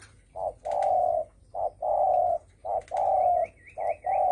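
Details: Spotted dove in thổ sấm style, calling to provoke other birds. Continuous hollow coos alternate short and long. A thin, wavering higher twitter from another bird runs in the background midway.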